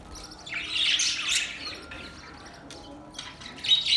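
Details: Budgerigars making mating sounds: a loud outburst of harsh, buzzy warbled chatter in the first second and a half, then quieter faint chirps, and a final short squawky burst.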